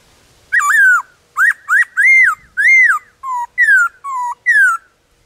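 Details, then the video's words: A wild black-throated laughingthrush sings in the forest, varying its song with many voices. It gives a drooping whistle, then quick rising notes, two broad arched whistles, and alternating low flat notes and falling slurs, about nine notes in all. "Khướu bạc má hót ngoài rừng Nhiều Giọng"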